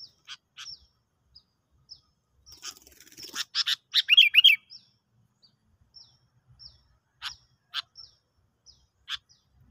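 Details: Sooty-headed bulbul recorded at a trapping lure session: scattered sharp chirps lead into a loud, rich babbling phrase of rising and falling notes, followed by more spaced single chirps, with almost no background noise.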